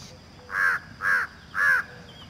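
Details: Three loud, honking peafowl calls in quick succession, each a short harsh nasal wail, with faint background noise.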